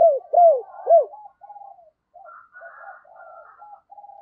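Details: Spotted dove decoy calling to lure wild doves: three loud arched coos open, followed by softer, lower murmuring coos with a second, higher faint voice.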